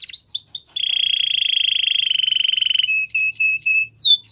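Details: Canary song for training: three rising whistles, a long pulsing low trill held for about two seconds, then short clipped notes and a final falling whistle.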